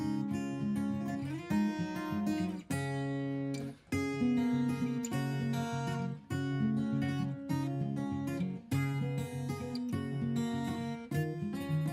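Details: Strummed acoustic guitar chords fill the whole passage, with no animal sound heard.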